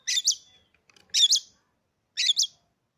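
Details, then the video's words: Three loud buzzy double-noted bursts from a caged Oriental magpie-robin, each about a second apart, ringing in a quiet room. "hanya hitungan detik kacer kamu pasti langsung gacor"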